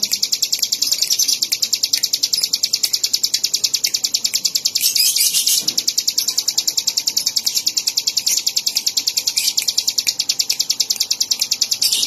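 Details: Bar-winged prinia (ciblek) giving a long, rapid run of sharp high chirps, roughly three to four a second, steady and unbroken, with a brief louder burst near the middle.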